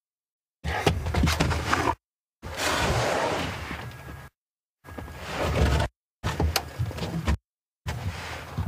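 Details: Bursts of broadband rustling, whooshing noise with low rumble, broken by short silent gaps, with no animal calls heard.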